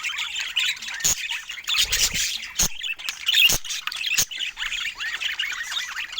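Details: Budgerigars, described as rare, sharing soft affectionate sounds in a quiet moment indoors: dense, scratchy chattering warble with squeaky chirps and short rising whistles, broken by a few sharp clicks and one low rumble.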